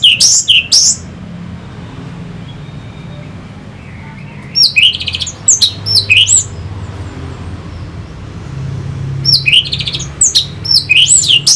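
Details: Orange-headed thrush from Singaraja, North Bali, used to stimulate fighting birds. Short bursts of high, sharp, looping notes come in three groups separated by several seconds of quiet.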